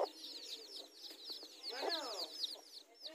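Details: Chickens in a garden, mother hens meeting to fight over territory with newly hatched chicks around them; dense high thin peeping from the chicks runs throughout, with a short burst of lower hen clucking in the middle.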